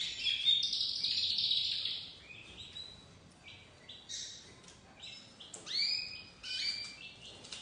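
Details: White crested domestic canary chick beginning to sing: scattered high chirps and short trilled notes separated by quieter gaps, with soft background hiss.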